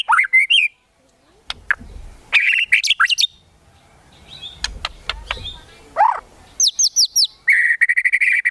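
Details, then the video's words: Aggressive 'kretekan tembakan' from a white-rumped shama, aimed at provoking a rival: rising whistled phrases, rattling bursts, a low swooping note, then fast high crackles and a steady buzzy trill at the end; a few dry clicks in between. "KRETEKAN TEMBAKAN MURAI BATU MEMANCING EMOSI"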